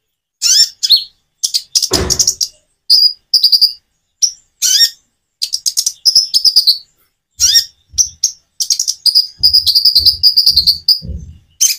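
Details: Common iora song with natural pauses for prompting listening birds to sing: a loud, busy stream of high chirps, trills and whistled notes in quick bursts, with short breaks between phrases.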